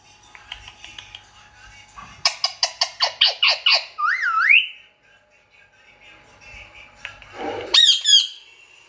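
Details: Indian ringneck parakeet producing a rapid run of about eight harsh squawks, then a looping whistled note, and later a loud descending screech.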